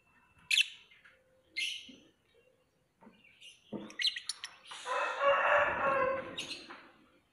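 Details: Lovebird with two sharp chirps and softer notes, followed by a harsh, broad, rasping burst of sound that lasts about two seconds before fading.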